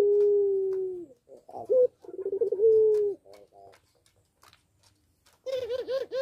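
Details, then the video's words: Puter pelung dove, caged and in breeding condition, coos twice with long smooth drawn-out notes, each after short clipped syllables, followed by softer broken notes and a warbled ending. "Puter Pelung Gacor Birahi | Pancingan Puter Pelung Cepat Birahi"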